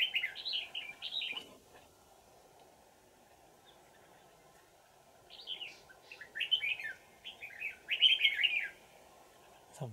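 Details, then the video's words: Wild old red-whiskered bulbul with a bell-like voice, trapped with a decoy, 20 December 2018: bubbly warbled whistle phrases open, a quiet gap follows, then several rapid, bright slurred phrases in quick succession. "Bẫy chào mào Già rừng giọng chuông xoắn tít"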